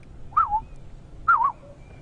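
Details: Black-headed Oriole heard on a morning safari game drive, 23 September 2015, in summer: two liquid, fluty whistled phrases, each slurring down and up, about a second apart, over a low rumble.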